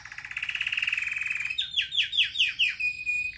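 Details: Caged red factor canary in powerful training song: a long even buzzy trill, then five swooping downward notes repeated about every quarter second, closing on a steady whistled tone.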